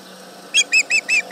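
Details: Osprey yelling at a tractor near its nest at Charlo on 31 July 2019, around 11 am: four or five sharp, high whistled yelps in quick succession after a moment of near silence.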